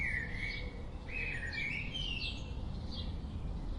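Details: Birds chirping: a bright, sliding chirp near the start, then a cluster of higher warbled notes midway and a short high note near the end, over a steady low rumble.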